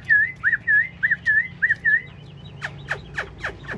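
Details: Chinese hwamei, a large caged bird said to sing while bobbing its head in a lion-dance display, gives a run of loud clear slurred whistles near one pitch, then sharp downward-sweeping notes; faint clapping and background hum.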